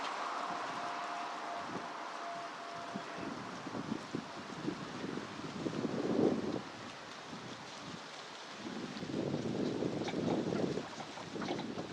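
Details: Gusting wind and a low engine-like rumble, with no animal calls heard.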